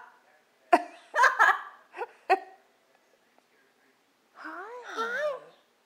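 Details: Yellow-naped Amazon parrot that speaks Spanish and English, commenting while watching TV: several short, hoarse, speech-like bursts, then a drawn-out whistle rising and falling in pitch, in a quiet room.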